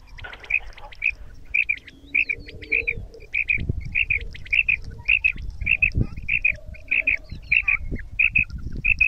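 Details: Female quail in Pakistan giving a mixed kirak and sirak call, used for hunting: quick, bright double notes, high and clipped, repeated about twice a second over a low background rumble.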